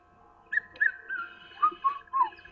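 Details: A Red-chested cuckoo calls from a tree on a morning safari drive on 19 January 2015: clear whistled notes in a descending pattern, repeated twice in quick succession over a steady low vehicle-engine hum.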